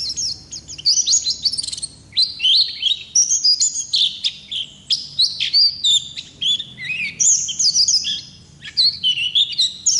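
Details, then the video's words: Ngalas-type Oriental white-eye singing continuously: lively high warbles and whistled slurs in quick clusters, with short, varied phrases flowing into one another. "Pleci Ngalas Gacor Ngerol Durasi Panjang"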